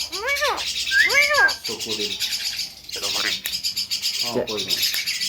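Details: Javan myna, a bird said to cough, laugh and imitate a guitar, giving clear arched harmonic whistles twice, then lower speech-like chattering and rough noisy bursts; a person speaks nearby.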